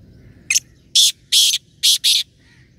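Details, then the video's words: Trained decoy black partridge of the Chinga line, used for hunting, calls one brief clipped note followed by four grating, buzzy bursts, two paired at the end, over quiet low background noise. "شکاری آواز والا شکار پر لگا ہوا تیتر"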